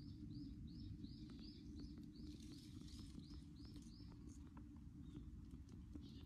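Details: Japanese tit after fledging from a nest box: a quick series of arched high chirps, several a second, fading in the second half, with a constant low background rumble.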